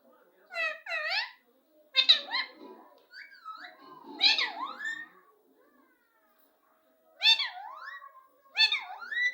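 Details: Pet parrot described as very talkative, giving harsh, voice-like squawked phrases with falling-then-rising pitch bends, five bursts separated by short pauses, indoors in a quiet room.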